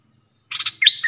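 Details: Red-whiskered bulbul decoy bird used for luring: a short burst of scratchy notes followed by a bright, sliding whistled phrase.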